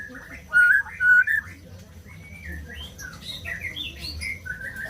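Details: A white-rumped shama sings, to set silent birds singing: two loud, pure whistled phrases early on, followed by quieter, varied rising and falling notes over a constant low background hum.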